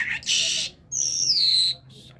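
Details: A talking common myna from Kerman gives a brief whistle, then a harsh hissing burst, then a clear high whistle that slides downward and fades.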